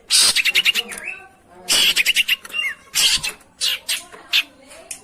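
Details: Long-tailed shrike recording used to stimulate a silent shrike: loud grating squawks in rapid stuttering bursts, separated by short downslurred whistles and quieter scratchy notes.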